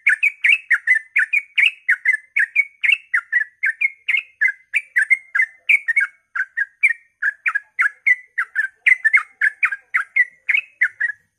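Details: Sooty-headed bulbul, dawn ropel song intended to provoke fellow bulbuls to sing: a long, dense, tireless series of short warbled notes, about four per second, keeping the same lively rhythm throughout on a clean background.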